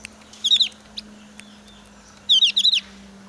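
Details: Excited Javan grey-throated white-eye during breeding season giving rival-challenging calls instead of whistling: two short bursts of rapid, high, squeaky notes about two seconds apart, a steady low hum beneath.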